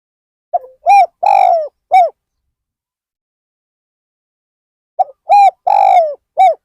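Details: Two cooing phrases from a spotted dove used as a decoy to attract wild birds at Ban Nong Hin. Each is a quick soft note followed by low rounded and drawn-out falling coos, separated by about three seconds of quiet.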